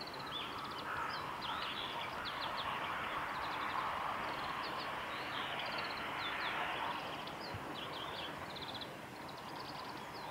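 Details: Several high, thin chirps and short twittering bursts from Japanese white-eyes among cherry blossoms at Suga Shrine on 23 February 2019. The calls are nearly continuous and overlap against constant environmental noise.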